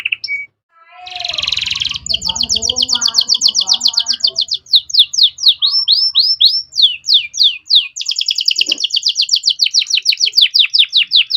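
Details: Canary master song used for tutoring young birds: a short buzzy burst and soft low notes, then long fast trills of rapid repeated notes and sweeping chirps running without pause for about nine seconds.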